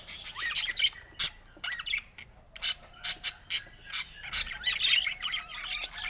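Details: Colorful budgerigars give bursts of sharp, high chirps and squawks, with several short calls in quick clusters separated by brief pauses.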